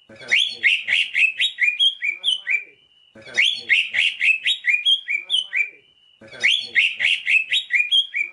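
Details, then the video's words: A Greater green leafbird sings a bright, rapid phrase of chattering, slurred notes ending in a short flat whistle, repeated about every three seconds with no other sounds, used as a training recording for other birds. "masteran burung cucak ijo"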